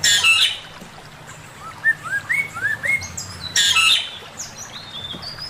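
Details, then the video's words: Male Chinese hwamei master song, with a loud harsh burst, then a chain of five rising slurred whistles, another harsh burst and higher whistled notes. "Burung poksay mandarin suara masteran Poksay mandarin jantan"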